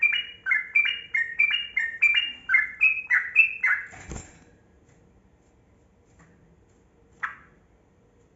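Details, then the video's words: Kebo-type yellow-vented bulbul pouring out a long rapid 'ropel' song meant to coax silent birds into singing. About ten stepped, falling whistled notes follow each other briskly over four seconds, then a soft thump and silence. "Trucukan Kebo Gacor Ropel Panjang Pancingan Burung Buka Suara"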